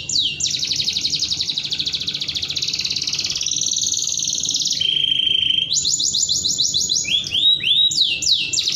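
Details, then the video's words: Canary in long, sharp song: extended rapid high trills held for seconds, then abrupt shifts to lower buzzy rolls and fresh high trills, delivered continuously. "suara kenari nembak panjang pedas sekali"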